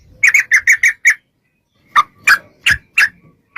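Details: Sooty-headed bulbul singing as a lure to get bulbuls to respond. Six quick bubbly notes are followed by a second-long silence, then four louder, scratchier notes.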